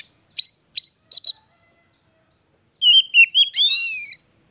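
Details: Oriental magpie-robin (kacer) song used to stimulate a bird that no longer sings; rising whistles and a quick doubled note, a pause, then wavering whistles ending in a buzzy rasp.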